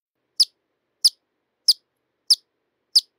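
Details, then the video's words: Hummingbird repeating a single sharp, high chip at a steady pace, about every 0.6 seconds, five times in a row. "Sonidos de Colibries - COLECCION SONIDOS DE COLIBRIES - Hummingbirds Sounds"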